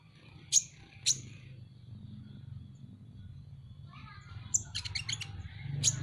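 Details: Van Hasselt's sunbird (Leptocoma sperata), a kept cage bird, gives sharp, very high thin chips, a few seconds apart, and a brief quick tinkling burst, over a low steady rumble.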